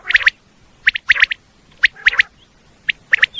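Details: Common quail call, a recording used to lure quail for hunting in Pakistan: short clustered bursts of bright clipped notes, in twos and threes, separated by brief pauses, with a faint higher whistle between groups.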